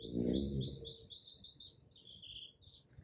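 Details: High, rapid chattering from a hummingbird at a feeder, recorded in the morning on an iPhone 11 on a tripod: a fast run of rising, squeaky notes that slurs into a longer, lower trill. Loud low rustling opens the recording.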